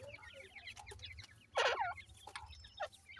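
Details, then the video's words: Young francolin (teetar) chicks give rapid thin peeps, broken midway by one loud, harsh, wavering squeal, then scattered sharp chirps over a steady low hum. "mere jani teetar k khobsorat bachay,bhura titar k chicks"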